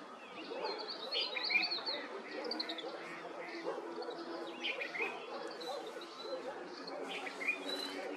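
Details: Yellow-breasted greenfinch (Chloris spinoides) in the evening at Chopta, Uttarakhand, India, April 2023, giving quick, high twittering chirps and short trills in a steady stream, over a low murmur that may be distant voices.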